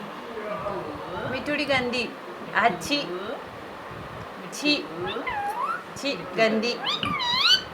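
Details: A pet Indian ringneck parakeet chatters in a high, nasal voice, mimicking short words such as "Mitthu" and a swooping "meow" cry in several quick bursts.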